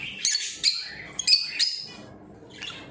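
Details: Pet lovebirds giving sharp, high squawky chirps in short bursts with brief quiet gaps between, against a faint low background hum.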